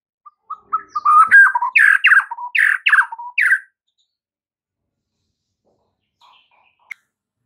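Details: White-rumped shama master song for training caged birds: a quick series of loud buzzy notes with whistled endings, then near silence with a faint click.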